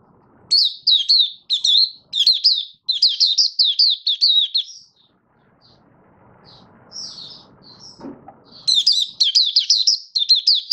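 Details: Caged Malaysian Oriental white-eye (mata puteh), a hobby songbird in 'buka sing' opening-song style, described as not in form and building form, recorded 1 August 2023; rapid bursts of high, slurred twittering notes, a short lull, then renewed chatter over faint low background rumble.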